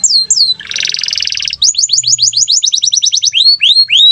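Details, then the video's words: Canary in constant gacor song: two falling whistles, a harsh buzzy rattle, then a long run of quick downslurred chips and closing upslurred whistles. "BEAUTIFUL SOUND OF GACOR CANARIES"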